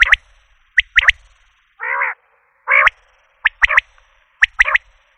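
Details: Common quail calling in sharp, quick triplets of high clipped notes, with two harsher buzzy bursts between them, in an otherwise quiet background.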